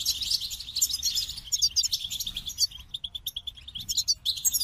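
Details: Goldfinch song: quick tinkling twitters and high trills, then a run of short repeated chip notes before the twittering resumes.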